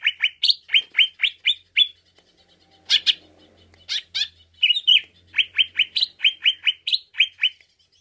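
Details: A greater green leafbird sings to excite another bird: rapid bright chirps at about four per second, broken midway by harsh noisy bursts, then the fast chirping resumes.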